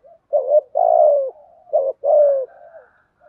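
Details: Spotted dove kept as a caged decoy, singing 'gù bái' coos of the 'thổ bầu' style: two paired phrases, each a clipped coo followed by a long falling coo. A faint thin whistle is heard at the end.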